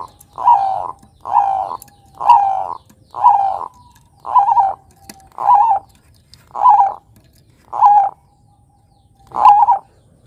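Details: Zebra dove, Bangkok type, cooing as a lure for young doves to imitate: soft, rounded, mellow coos about one second long, repeated at a steady pace roughly every second, in quiet surroundings.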